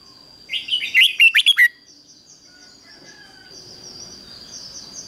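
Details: Decoy red-whiskered bulbul calling to wild birds with a 'ché' song: a few softer lead-in notes rising into a fast burst of five loud, bubbling notes, then quiet with a steady high-pitched whine.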